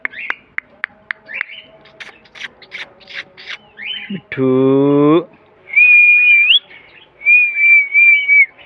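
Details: Talking green parrot, a Mithu parrot kept as a pet: rapid clicks and short squeaky notes, a deeper droning voice-like sound in the middle, then two long, level, high whistles with a slight upward flick.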